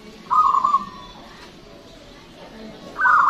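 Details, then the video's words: Local Indonesian zebra dove, loud singer used as a lure: one rolling coo early, silence, then another higher rolled coo starting. "PERKUTUT LOKAL GACOR SUARA BESAR DAN PANJANG"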